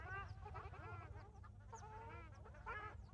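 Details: Ruddy shelducks at Maguri, Assam, give nasal, honking calls in overlapping bursts about every second, over a steady low rumble.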